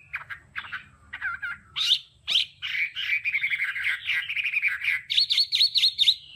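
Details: Hwamei, a kept songbird, singing a varied song of short whistled phrases and chattering notes, ending in a fast series of repeated high slurred notes.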